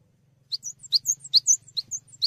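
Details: Cinereous tit chirping in full voice for tutoring songbirds: crisp, high, slurred double notes repeated in an even, hurried rhythm, with a quiet low drone behind.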